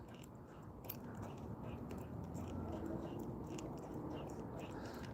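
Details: Low rumbling handling noise with faint murmured speech and crunchy scraping, no animal voice.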